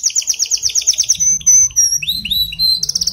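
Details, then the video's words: Canary singing for a weak-voiced canary: a rapid high trill, a thin drawn-out whistle, then rising slurred notes and a renewed quick trill, with a faint low hum beneath. "إذا لديك كناري ضعيف في تغريد سمعه هذا الغناء وشاهد الكناري ماذا يفعل"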